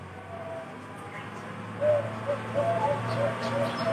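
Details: Perkutut (zebra dove), Bangkok type, valued for a special, thick voice: after a quiet start, a short series of soft cooing notes in the second half, against steady low background noise.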